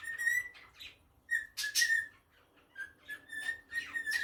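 A cockatiel sings clear, level whistled notes broken by short raspy chirps.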